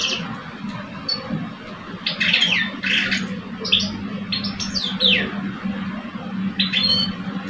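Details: Singing duel between two caged male goldfinches in Algeria, a seasoned older male against a two-year-old; rapid descending slurred notes and tinkling twitters in clustered bursts, low droning noise underneath.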